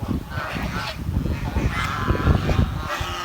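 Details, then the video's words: Chirping of a swan kept in a village, heard as drawn-out nasal honking notes that overlap one another, set against heavy low-pitched rumble and handling noise. "The Chirping Sound of The Village Swan"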